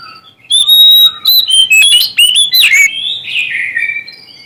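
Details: Oriental magpie-robin of Sumatran stock in full song, seeking a rival: a steady whistle, then a rich jumble of sliding, rising and falling whistled phrases and rapid chirps, fading into a softer warble.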